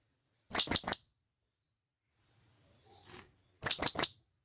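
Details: Blue-crowned hanging parrot from the wild, calling its companions: two short bursts of three piercing, high-pitched ticking notes about three seconds apart, with a faint thin hum between them.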